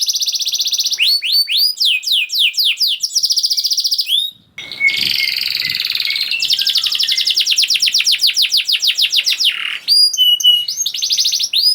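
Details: Canary in lively rapid song meant to stir silent canaries into singing: sweeping whistled phrases, a short pause, a rattling buzzy stretch, then long quick trills of repeated up-slurred notes.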